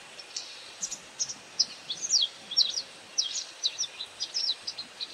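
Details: While hunting insects, a white wagtail calls with repeated sharp, high twittering chips, some falling in pitch, in short bursts about every half second, over faint background noise.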